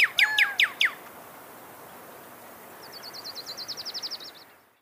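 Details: Desert cardinal song: four loud, clear downslurred whistles in quick succession, then a quiet pause and a faint, high, rapid trill of about a dozen notes fading away.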